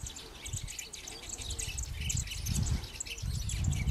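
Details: Citron-headed yellow finches, a pair and flocks, courting and feeding at Yavi, Jujuy, Argentina, in May 2015, give a steady stream of high, short chirps, with several birds twittering together over low wind rumble.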